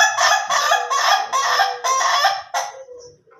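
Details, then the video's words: Laughing crow of an Ayam Ketawa chicken, slow versus durasi styles: six loud, coarse, nasal syllables delivered fast and unevenly, with a faint thin whistle behind. "AYAM KETAWA SLOW VS AYAM KETAWA DURASI"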